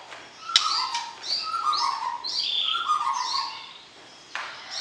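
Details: Mating call of a white-rumped shama, meant to arouse a partner before breeding: loud, clear descending whistles repeated in short phrases, with higher sweeping notes above and a sharp click between phrases.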